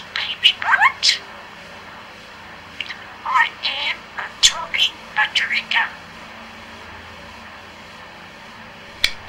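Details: A four-year-old male talking budgerigar, who recites nursery rhymes and one-liners, chatters out quick, high, tinny word-like phrases for about six seconds, then falls quiet except for one faint click near the end.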